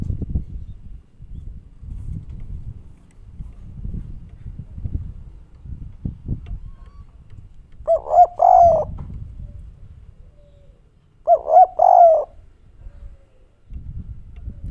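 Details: Kuk 3 style cooing from a spotted dove, its voice called soft and melodious. Two brief, loud, throaty coo phrases about three seconds apart break through a steady background of low thumping and rumbling noise.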